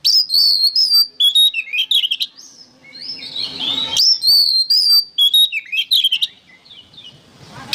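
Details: A varied, nearly continuous song from an oriental magpie-robin, recorded as training material for songbirds, mixing loud sweet whistles, quick twittering runs, and scratchy buzzy notes, with one short quieter rasping stretch.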